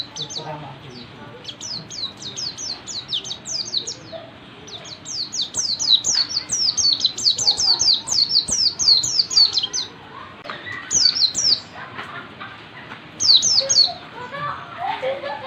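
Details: Oriental white-eye in wild-style ngalas singing, a fast run of high, thin, descending chirped notes in dense bursts, pausing around ten seconds then resuming, with softer low chatter and background noise beneath.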